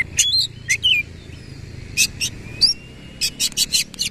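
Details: Oriental magpie-robin singing in the 'nembak ngerol' manner with its tail fully open: short high whistles and wavering notes, then a quick series of about six sharp clicking chips near the end.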